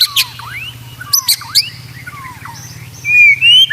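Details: White-rumped shama master song, used to train other shamas to sing actively and steadily: sparse downslurred whistles and sharp high chips over a low steady hum, ending with louder rising whistled phrases.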